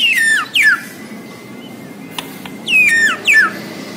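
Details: White-rumped shama of the Borneo form delivering paired loud downslurred whistles, two at the start and two more near the end, separated by a quiet pause with a faint steady tone and a couple of clicks.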